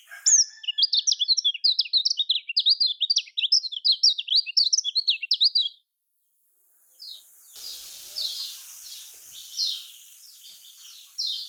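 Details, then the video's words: Kecial kuning, a songbird typical of Lombok, singing a fast chattering warble of high zigzag notes for about six seconds, then a pause followed by fainter, more distant notes against a soft hiss. "Kicaumania Kecial Kuning Paling Suka Ini Untuk Kecial Kuning Kurang Ngacor"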